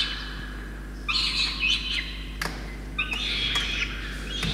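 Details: Peregrine falcon chick being fed a soaked starling by its soaked parents at Orange, New South Wales, Australia, 5 November 2021; harsh drawn-out begging wails in two bursts around one and three seconds, with clicks and a low steady hum.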